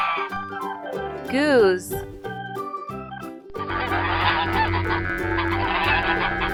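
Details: Goose honking in a children's farm-animal learning piece: a loud, wavering, nasal honk that rises and falls near the start, over bright children's music that swells and fills the second half.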